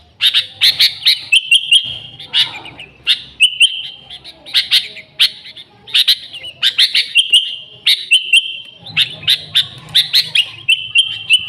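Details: Sooty-headed bulbul singing energetically, an original recording without other birds' songs added, used as a lure for the species: bursts of sharp, chattering notes alternate with short steady whistled phrases, repeating every second or so.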